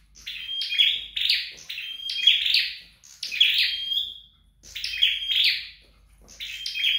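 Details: Flowerpecker practising song at home: rapid high chirped bursts, each trailing into a level piercing whistle, repeated roughly every second with brief pauses.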